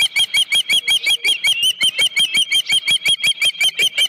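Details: Osprey at the Dunrovin Ranch nest, morning of 31 July 2018, with a headless fish: an unbroken, very regular string of loud, shrill whistled chirps, about three per second, each slightly upslurred.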